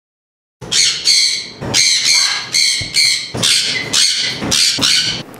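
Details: Three pet sun conures giving harsh, piercing screeches, one burst after another about twice each second; they scream intermittently, seemingly for fun, and are described as crazy loud, even more than macaws.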